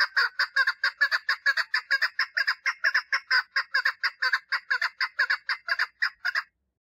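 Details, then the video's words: A female chukar partridge gives its mating call, a fast, continuous chatter of harsh clucking notes repeated about twice a second, slightly uneven and loud throughout, stopping just before the end. "Female Chukar Partridge call - صوت الحجل أنثي - صدای کبک ماده"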